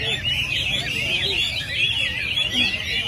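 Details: Captive Chinese hwamei at a weekly training session in early December pours out a loud, continuous run of rich, fast-changing whistles and warbles, varied and unbroken, with faint background murmur.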